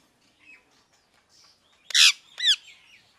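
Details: Two loud, harsh parrot squawks half a second apart, preceded by faint softer chatter.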